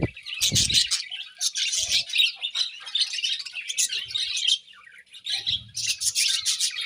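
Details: A flock of caged budgies chatters busily during morning feeding. Rapid high chirps and warbling trills run almost without pause, broken by a few short low knocks.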